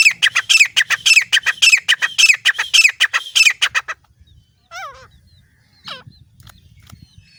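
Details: Grey francolin female calling, used as a hunting lure in Layyah. Loud, harsh notes repeat about twice a second for four seconds, then stop, leaving a few faint descending whistles.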